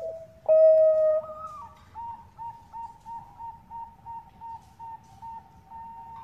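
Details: A Bangkok-type zebra dove lure call, female calling male: one loud sustained coo rising in steps, then a string of short evenly spaced coo notes repeated about twice a second.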